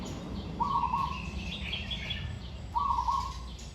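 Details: Zebra dove in training, song with good phrasing: two short, even, stuttering coo bursts about two seconds apart, with faint chirps from other birds and low rumbling background noise.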